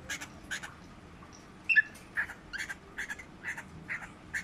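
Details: Whiteface Lutino (albino) cockatiel during mating: short, clipped chirping notes repeated irregularly, a louder pair of sharp squeaks near the middle, against a quiet, faintly hissing background.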